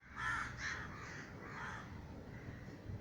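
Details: Crows flying over a garden in Sri Lanka after a neighbour's crow-scaring gunshot startled them; a few harsh, hoarse caws in the first second, then fainter overlapping calls over steady background noise.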